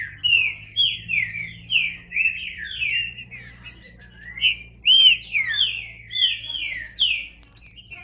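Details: Green-winged saltator pouring out a steady string of rich whistled notes, each sliding down, roughly two per second, over a faint low hum.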